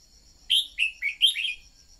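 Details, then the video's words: Decoy song of a red-whiskered bulbul, used to make other birds sing: four brisk warbled notes in a bouncing phrase, rising and falling, with a faint high steady drone behind. "Luyện giọng chào mào mồi-kích bổi mau hót"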